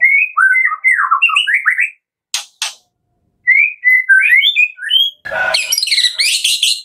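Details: White-rumped shama (murai batu) in vigorous kretekan song, used as a lure to prompt other shamas to sing: rich whistled phrases sliding between low and high notes, two sharp clicks midway, then dense bright overlapping notes.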